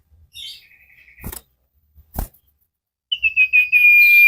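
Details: Common iora (cipow) in a cage-bird training recording, singing vigorously: a thin whistle amid two loud rattling knocks, then quick stuttered notes start a long sustained whistle cut off at the end.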